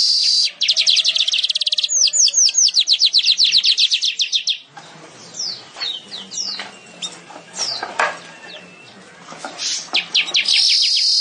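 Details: Weaver singing vigorously, in the style called gacor: a rapid series of buzzy, rasping high notes for about four seconds, then scattered chips and sizzles over a murmuring background, ending in another dense buzzy burst.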